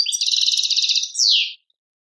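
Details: European goldfinch from Algeria singing the 'tadmait' song: a rapid, rolling, buzzy trill of evenly spaced pulses, ending in a loud, bright, downward-sweeping note.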